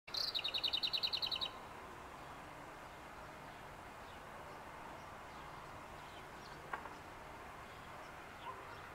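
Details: Lesser whitethroat (Sylvia curruca) giving a fast, dry rattle of about a dozen notes on one pitch, over in under two seconds; then only soft outdoor hiss.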